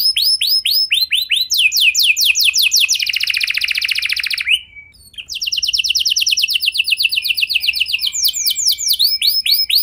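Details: Canary in full song, meant to make other canaries sing along: repeated falling whistles about four per second, speeding into a fast buzzy rattle, a brief pause, then more rapid trills.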